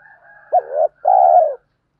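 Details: Spotted dove coo used to stimulate and train newly caught doves, with male and female birds featured: faint thin tones, then a clear two-part phrase, a quick rising note followed by a long, even, gently dropping coo.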